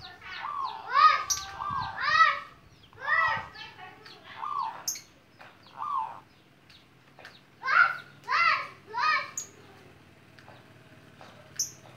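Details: Young local zebra dove of wild origin, just learning to sing, in the gayer style: soft, melodious, tightly rhythmic cooing. Rounded, rising-then-falling coo notes come in quick bursts of two or three, with faint high ticks between.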